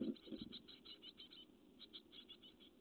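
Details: Growing great tit chicks on a nest webcam, 12 May 2017: a couple of loud low thuds open, then quick series of high chirping begging notes in two runs separated by a short pause.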